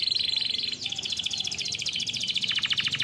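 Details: Singing canary in song training: continuous fast rolling trills of high pulsed notes, switching between phrases at slightly different pitch, with a lower throbbing hum beneath.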